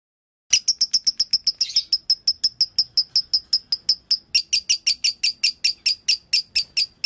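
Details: Lovebird singing in the dobelan style, described as konslet: a steady run of sharp, high chirps, about four each second, starting after a short silence and continuing evenly to the end.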